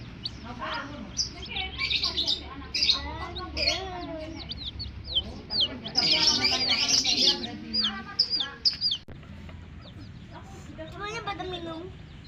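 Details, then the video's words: Baby chicks of domestic hen, described as coloured chicks, chirping busily: many high, short, downward-sweeping peeps tumbling over one another in dense bursts, with some lower harmonic calls and murmuring underneath. "Hen Baby Chicks, Witty MURGI Baby "Chicks Chirping" Sound"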